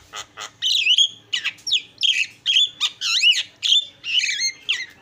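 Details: Isian filler song of a Javan myna: a dense, varied stream of loud squawks, slurred whistles and harsh chattering notes, bursts following each other with barely a pause.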